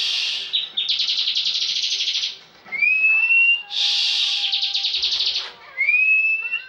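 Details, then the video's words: Contest-winning caged bar-winged prinia singing full ngebren: long pulsed buzzy trills, each over a second, alternate with clear upward-sliding whistles. The phrases run back to back with barely a pause. "Ciblek ngebren full"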